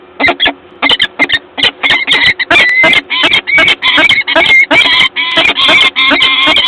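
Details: At a Gdańsk nest on 12 April 2022, peregrine falcons call in a loud, harsh, rasping run of rapid staccato notes that merge into longer grating wails toward the end.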